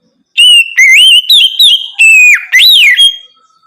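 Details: Oriental magpie-robin whistling at night as a prompt for other birds to sing: six strong, clear whistled notes, level, wavering or arched, spaced by short gaps, ending with a fading tone.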